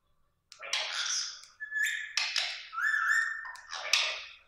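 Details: Pet male green rose-ringed parakeet vocalizing at its reflection in a mirror, apparently taking it for another parrot: harsh raspy chatter mixed with clear sustained whistles and sharp squawks over about four seconds.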